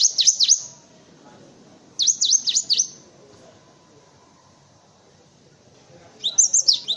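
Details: Song of a cinereous tit, meant for teaching caged songbirds such as white-eyes, comes in three short bursts of sharp, high, swooping notes, each burst under a second long, with quiet gaps between.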